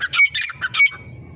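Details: Grey francolin gives loud, harsh, squawking notes in four quick bursts within about a second, each strident and rasping, ending with a softer final note.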